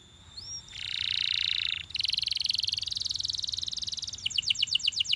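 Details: Belgian canary singing to encourage other canaries to sing: a short rising whistle, a held buzzy roll, a fast trill, then quick repeated downslurred notes at about eight a second.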